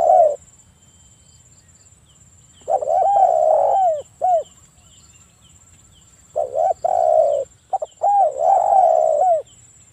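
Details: Lure calls of a spotted dove in breeding condition, meant to provoke rivals into calling: mellow low coo phrases in bursts a few seconds apart, each mixing short arched notes with longer level coos, against a faint high constant tone.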